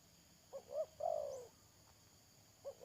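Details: Spotted dove decoy used to lure wild doves, 31 May 2022: a full coo of two short notes and one longer descending note, then the start of another phrase.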